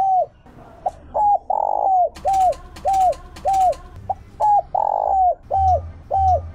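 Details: Decoy spotted dove singing the 'Chiêu Ba Hậu' call used to provoke wild doves: curved short coos interleaved with two extended, broad notes, accompanied by sharp crackles early on and low thumping near the end.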